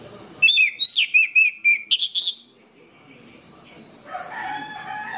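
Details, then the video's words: Orange-headed thrush phrase meant to prompt other orange-headed thrushes to sing: a quick string of about seven sharp, sliding whistles, then a couple of higher notes, followed by quieter muffled rustling and background noise. "PANCINGAN ANIS MERAH INI BIKIN GACOR ANIS MERAH LAIN"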